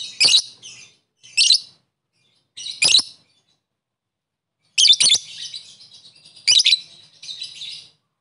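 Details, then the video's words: Lovebird used as a fighter lure to provoke rival chattering: scattered short, harsh, raspy chirps in clusters separated by silent gaps, about six bursts over eight seconds. "pancingan lovebird fighter paling efektif bikin musuh langsung ikutan ngekek"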